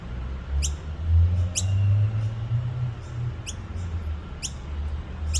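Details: Young noisy miner at Petrie Creek in Nambour gives short, thin, high squeaks about every second, five in all, over a louder, swelling low rumble.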